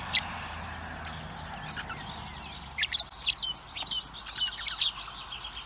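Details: Blackbird chicks, hungry, calling at a garden feeder in Recke, Germany; after a quiet start, bursts of high squeaky notes and short piping whistles cluster in the second half, with background hiss throughout.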